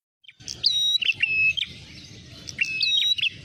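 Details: Ashy tailorbird (prenjak merah) calls used as a trapping lure: sharp, high whistled notes and short chirps in quick bursts, a clean level whistle drawn out near the middle, then more rapid chirps, over faint low background rumble.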